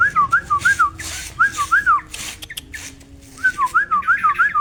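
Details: Tame yellow-vented bulbul singing actively in an aviary. Phrases of quick, fluid zigzag whistles come in bursts separated by short pauses, with faint rustling and thumps in the background.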